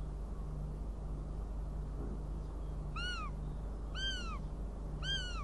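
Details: Northern goshawk, Riga, 29 June 2016: three evenly spaced, slurred wails about a second apart arrive after a quiet stretch of low electrical hum.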